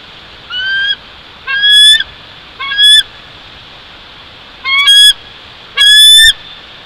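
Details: Bald eagle at a nest about 145 feet up in a Jeffrey pine at Big Bear Lake, California, 04.01.2023 at 08:52: five loud, high, thin whistled squeals with harmonics, spaced about a second apart, over steady background hiss.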